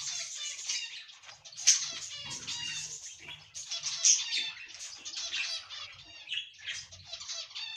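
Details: Cockatiels kept as ornamental pet birds, giving dense scratchy chattering and warbled notes with short whistles, continuous with brief louder bursts.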